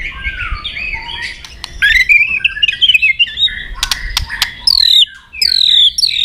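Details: White-rumped shama singing its fighting song, used for training. Soft warbling builds into fast, bright chattering whistles with sharp clicks, then two loud high whistles sliding downward.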